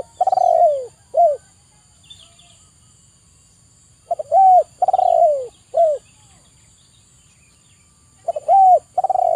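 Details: Repeated cooing song of a zebra dove, for stressed birds reluctant to sing: phrases of a drawn-out coo, a trilled descending roll and a short falling note, separated by quiet gaps, with several phrases across the clip.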